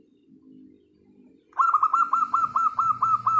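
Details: Local wild zebra dove song meant to coax silent birds to sing: soft low murmuring, then a steady run of about nine bright, bouncing coos, evenly spaced and quickly repeated.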